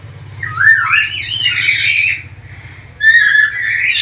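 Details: Black-capped lory, said to be very vocal and able to talk, gives a long warbling, sliding whistle blended with raspy squawks, then a brief pause and a rising whistled note, with a low hum beneath.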